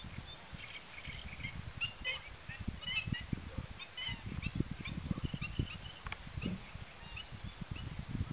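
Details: Short high notes come in quick clusters from a Marsh sandpiper at Tancat de Milia, L'Albufera, a freshwater marsh site. The calls run busily for about five seconds, then thin out, above constant low wind noise.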